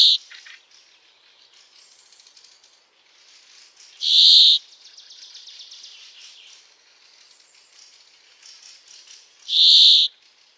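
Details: Brambling singing: loud, drawn-out buzzy wheezes, each about half a second long, repeated roughly every five and a half seconds, with soft chirps and twitters of other birds filling the gaps.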